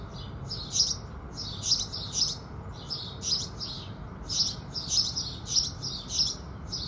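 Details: At sunrise, house sparrows chirp busily: loud, clipped tweets come in quick bunches of two or three, with brief gaps, against a quiet low-pitched background.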